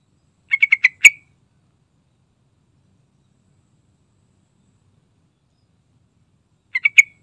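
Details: Yellow-vented bulbul giving gacor lure song: a quick burst of four or five bubbly, chirping notes near one pitch. After about six seconds of silence, a similar short phrase begins.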